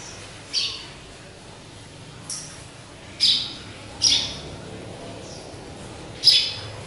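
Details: Caged pet sparrow hung up high, calling with scattered high, slightly buzzy chirps, five or six notes at irregular gaps, over faint hiss.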